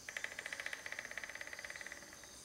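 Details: A Crimson-crested woodpecker (Campephilus melanoleucos) gives a dry, even rattle of about thirty quick notes in two seconds, slowing slightly at the end, over a faint steady hiss.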